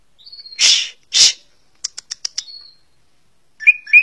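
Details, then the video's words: A greater green leafbird (Chloropsis sonnerati), a contest songbird, sings: two harsh rasping bursts, a quick run of sharp ticking notes with a thin whistle, then two bright chirps. "CUCAK HIJAU - Burung Ccucak Ijo"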